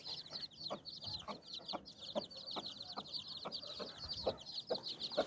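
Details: A hen brooding nine chicks under her wings clucks in soft, low pulses about twice a second, nearly buried under a dense chorus of shrill chick peeps.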